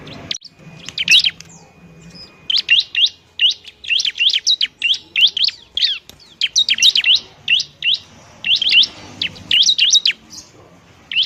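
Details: Lively, noisy bar-winged prinia song meant as therapy for prinias that are slow to sing: bursts of high, sharply rising chirps in quick clusters, broken by short gaps throughout.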